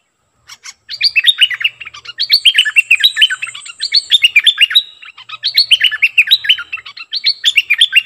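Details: A Streak-eared bulbul, kept as a decoy bird, sings almost continuously, giving quick bubbling phrases of sharp chirped notes. A thin high whistle sounds briefly in the middle.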